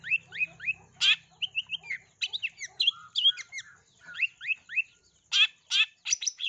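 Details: Long-tailed shrike in a stimulating lure song for other shrikes, filled with sparrow-style bursts: series of quick rising chirps, loud harsh bursts and varied twitters, with a low hum at the start.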